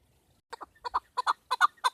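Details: Chukar partridge, female, calling for hunting use: paired clucking notes around one kilohertz, growing louder in quick doublets over two seconds.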